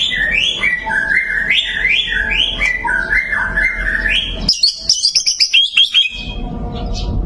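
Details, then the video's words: White-rumped shama song of looping whistled phrases rising and falling in steady sequence, ending in a burst of high, sharp chirps over faint low background hum. "perdana murai prestasi tenbakan mewah"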